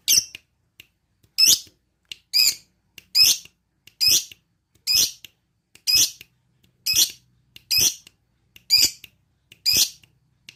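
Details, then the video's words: Lovebird giving its ngetrik trill while seeking a rival: harsh, high, buzzy chirped bursts repeated roughly once a second, about a dozen in all, each fading quickly, with quiet gaps between. "Lovebird ngetrik cari lawan"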